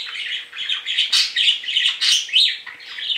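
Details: Indoor pet budgerigars, two males, calling when separated: continuous rapid, grating warble of high chirps and squawks without a break.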